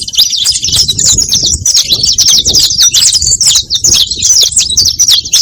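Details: Saffron finch singing to lure others of its kind: a continuous run of sharp, high chirps and trills with hardly any break and a steady, lively rhythm.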